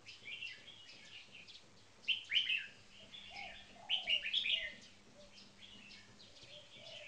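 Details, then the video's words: Caged red-whiskered bulbuls, two birds, one singing in marathon frequency style, the other on its first day in a cage: bursts of bright warbled, bubbling phrases at about two and four seconds, with soft low cooing notes and a steady electrical hum beneath. "Marathon Frequency Singing"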